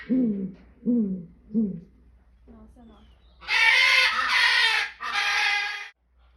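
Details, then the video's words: Barred owl in a backyard: three low, swooping hoots repeated under a second apart, softer notes after them, then three long, loud hissing rasps. "Barred Owl (Hoot Owl)"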